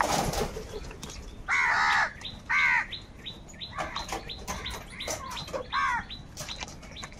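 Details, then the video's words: Crows calling in a live recording where birds fight over food: a few loud, harsh, ragged caws in short bursts over a steady background of many small, high chirping birds. "Crow bird live crowing sounds - All types of crow sounds | Crow bird unity anger and sounds"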